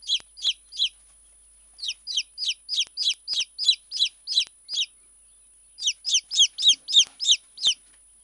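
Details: Tame Silkie chick calling in three bursts of high, sharply downward-slurred peeps, several per second, with short silent gaps between bursts and no other sounds.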